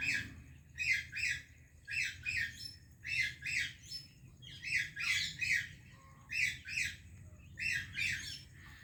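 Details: Parrot greeting another parrot, said to be an Indian and a Pakistani parrot: rapid rasping squawks in paired bursts, repeated about every second over a steady low background hum.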